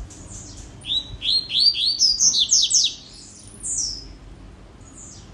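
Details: Rusty-collared seedeater delivering a rapid series of high whistled notes, each sliding downward and climbing in pitch through the phrase, closing with a long falling whistle and a soft background hum.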